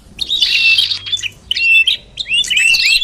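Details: Common iora sound used as a lure to draw birds in: three short bursts of scratchy, buzzy chattering mixed with brief whistled slurs, separated by short gaps across three seconds.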